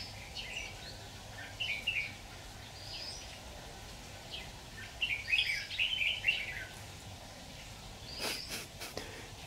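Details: Red-whiskered bulbul during trapping with a decoy bird, 26 October 2019: scattered chirpy whistles build to a fuller warbled phrase, then a few sharp clattering knocks follow near the end.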